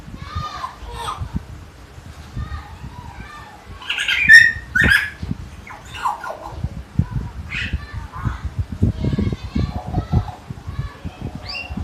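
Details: Common hill myna (tiong emas) at Jatiasih, Bekasi, in lively chatter: a busy run of varied squawks, clear whistled notes and raspy bursts, loudest near the middle, over background knocking and low room noise.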